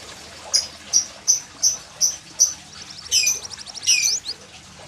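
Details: Yellow canary giving a row of short, high, evenly spaced chip notes about once per second, then two quick bursts of rapid buzzy trilled notes; soft background hiss throughout.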